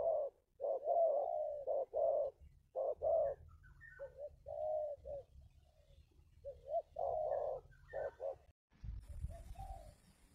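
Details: Local spotted dove giving its 'kuk 2' call, used to lure wild spotted doves: soft, mellow coos in short and drawn-out notes, irregularly grouped; a brief burst of low rumbling noise at the end.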